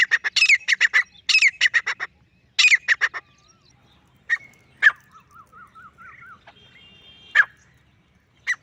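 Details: A lone male grey francolin gives loud, harsh, rapidly repeated notes in three bursts of four to six. Quieter chirps and a thin wavering whistle from other birds follow.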